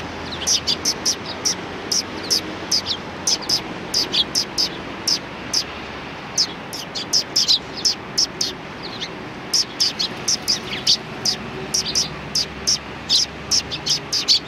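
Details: Neighbouring flock of sparrows at a Tenmangu shrine on 14 March 2019, giving brief bright chirps in loose bursts, sometimes clustered, over a constant low rumble of background noise.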